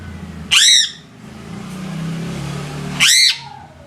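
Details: Two harsh, loud crow caws about two and a half seconds apart, each sharply falling in pitch, with a low hum in between.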